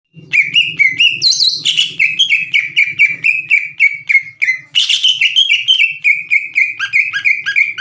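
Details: Prolific singing green leafbird used as a lure to provoke untrained leafbirds into singing back; loud, fast run of clear whistled notes, some sliding and some burry, repeated about twice a second with a faint low hum behind.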